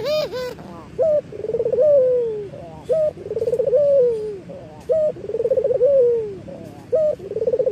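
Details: Eurasian collared dove, a local bird in full calling, cooing: a short bright note about every two seconds, each followed by a longer rolling, slightly falling coo, in a steady rhythm; used as a master and lure recording.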